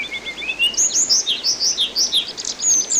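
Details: Orange-headed thrush (anis binbin) song on a water-therapy tutor recording for training songbirds: a fast, varied stream of high whistled notes, slurs and short trills, about three phrases a second, over a steady hiss of background noise.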